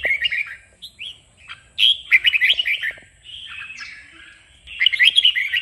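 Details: Red-whiskered bulbul singing for training, meant to rouse a bird into fierce competitive song: repeated bursts of rapid warbled whistles and sharp notes, with short pauses and a loud closing flurry.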